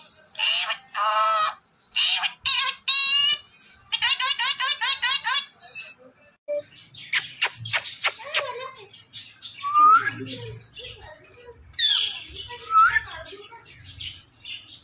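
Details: Talkative pet Indian ringneck parrot producing speech-like phrases: high, harmonic word-like bursts over the first six seconds, then sharp clicks, squeaky chirps and quick rising whistles.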